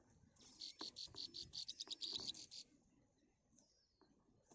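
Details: Three chicks in a nest waiting for the mother bird to bring food give a dense burst of high, rapid squeaky peeps lasting about two seconds, then fall quiet with faint rustling.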